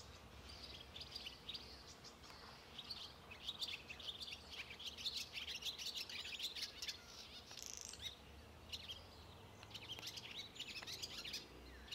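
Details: Barn swallows (Hirundo rustica) on 29 April 2024 twitter in quick, high chirps and squeaky warbles, tumbling irregularly almost without pause, over a low rumble of wind or distant traffic. Barn swallow.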